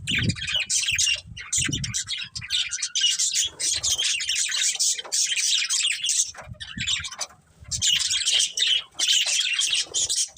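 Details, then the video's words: A family of pet budgies chirps in loud bursts of chattering warbles and squawks, separated by short lulls, while low rumbling household noise sounds underneath. "Cute Budgies Chirping Sounds"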